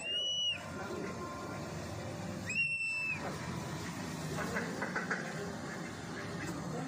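Black kite giving two thin, high whistled calls about two seconds apart, the second a little longer, over a steady wash of traffic-like background noise.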